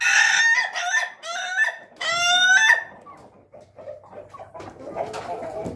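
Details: Pelung chicken rooster giving a series of three harmonic crows, each short and ringing, the last held longest, then fading into quiet clucking and faint background sounds.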